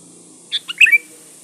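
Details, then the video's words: Lure song of a sooty-headed bulbul, meant to make birds respond. A brief, lively phrase of two clipped notes runs into a bubbling cluster and a short descending whistle, all within half a second. The background is otherwise still. "SUARA BURUNG KUTILANG GACOR SATU INI AMPUH BUAT SUARA PANCINGAN"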